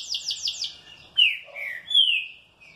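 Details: Green-winged saltator, well cared for, answering happily: a quick run of four fast descending notes, then loud clear whistles that slide downward, one after another.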